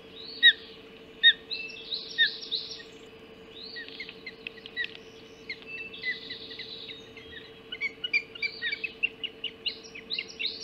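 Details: Ospreys at their Hog Island nest at dawn, 04:50 on 30 June 2016, as a mackerel is brought for breakfast: sharp, high cheeping notes, sparse at first, then rapid excited bursts near the end, with a constant low hum.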